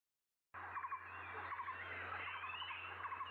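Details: A Blue-throated barbet in Guangzhou in April 2022 gives quick groups of three short, hollow, mid-pitched notes, repeated about every three-quarters of a second, over a steady low hum and background noise.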